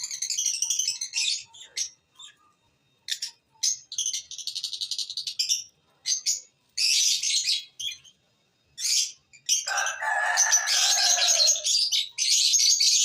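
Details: Lovebirds chattering almost nonstop in shrill, buzzy chirps and fast stuttering runs, with one lower harsh rasping burst partway through.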